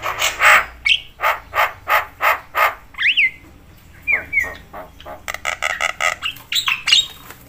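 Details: Javan myna in full noisy voice, its calls said to agitate all kinds of mynas: repeated harsh squawks, then clear rising and falling whistled notes mixed with rapid buzzy chatter and squeaks.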